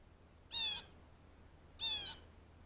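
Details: Blue jay giving two harsh, nasal calls about 1.3 seconds apart, each lasting roughly a third of a second and rich in stacked overtones, over a faint low steady hum.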